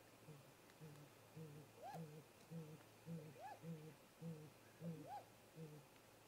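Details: Great grey owls at a nest snag, a pair arriving in late afternoon daylight at 18:58 MDT; soft, low, evenly paced hoots roughly twice a second, broken by three higher rising-and-falling whistled calls.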